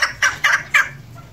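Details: A female chukar partridge gives four harsh, clucking chuk notes about a fifth of a second apart, then falls quiet.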